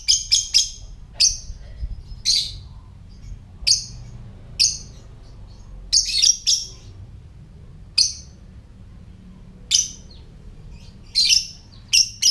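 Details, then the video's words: Lovebird ngetik, or typing, call, meant to get other lovebirds calling and ready to breed: shrill, clipped high chirps, sometimes doubled or tripled in quick bursts, spaced irregularly about a second apart over a quiet low rumble. "Lovebird Suara Ngetik"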